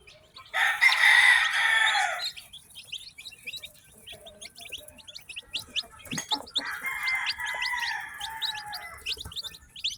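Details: Newly hatched chicks on a farm chirp in quick, high, downward-slurred peeps, repeated about two or three times a second, interrupted by a loud, harsh, drawn-out call early on and a second one later.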